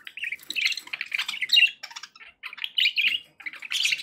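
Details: Budgerigars in a happy mood, chirping in quick chattering phrases of warbled, squeaky tweets with short breaks between bursts.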